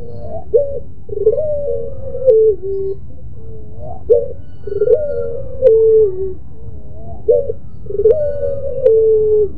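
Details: Singing puter pelung dove, a Barbary dove variety, with a mournful, moaning coo: short rising notes followed by long, falling, held coos, the phrase repeated about every three seconds over a constant low background hum.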